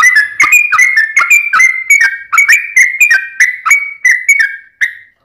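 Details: Sooty-headed bulbul in a long, rolling song used as a lure to get a kept bird singing. Rapid bubbly whistled notes overlap in a dense, fast run of clipped phrases, ending in a single isolated note.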